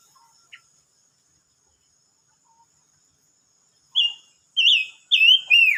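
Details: Silver-eared mesia singing, recorded 25 May 2022: after near silence and a few faint notes, a loud whistled phrase of four rich, warbling notes that slur up and down, the last sliding lower.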